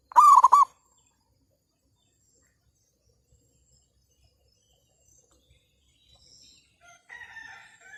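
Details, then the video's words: Zebra dove kept to attract wild birds for trapping, cloudy after rain during nesting season: a single quick stuttering coo phrase at the start, followed by quiet, with faint distant chirps near the end. "perkutut/merbuk.. burung hutan bagi derak sama pikat"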